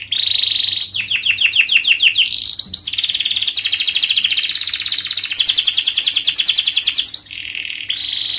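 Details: Long, fast-paced 'gacor' canary song played to coax young canaries into singing: a brief buzz, then a rapid run of descending sweeps, then an unbroken dense rolling trill lasting several seconds before a closing buzz.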